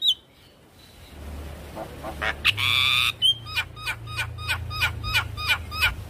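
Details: Javan myna singing to spur other mynas into song: a long grating squawk, then a steady series of short downward-slurred chirps roughly three per second over a low hum.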